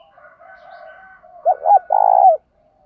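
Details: Spotted dove goading call for luring wild birds, cock and hen: faint background cooing, then two sharp hooked notes and a loud, buzzy, sustained coo that ends with a slight drop.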